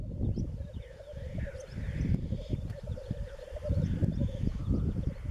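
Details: Spring lek of black grouse, east Wales, March, females present; a sustained low bubbling drone persists through gusty wind noise, with a faint hissing sweep higher up.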